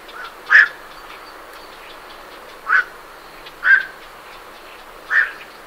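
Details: Night herons calling as they leave their roost, recorded at medium close range: four short, harsh croaks spaced about one to one and a half seconds apart over faint background hiss, with great reed warblers in the background.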